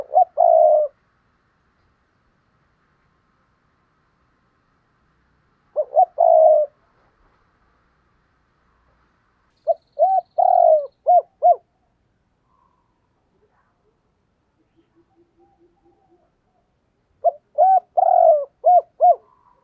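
A Spotted Dove gives soft, low, rolling coos in short bursts every few seconds.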